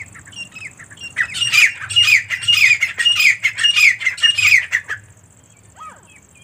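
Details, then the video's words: Female partridge (teetar) calling: a run of about seven loud, harsh, raspy squawks over roughly four seconds, each a rough burst with a grating edge, then quiet with one faint thin note near the end. "teetar ki awaaz & teetar female sound"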